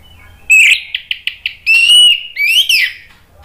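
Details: ['Orange-headed thrush song used as a lure to make birds reply and sing. Loud whistled phrases around a steady high pitch, with a quick run of short notes, then long sliding whistles, two of them rising.']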